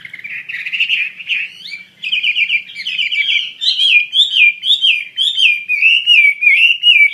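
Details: Chinese hwamei in vigorous song: rich, loud whistled phrases, slurred and looping, building into a regular series of repeated rising-falling notes about twice per second.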